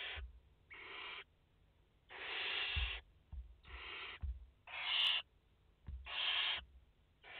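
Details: Barn owl mother and four chicks at the nest, France, 30 August 2021; around eight harsh hissing bursts of varying length in irregular rhythm, with occasional knocks and a sharp click.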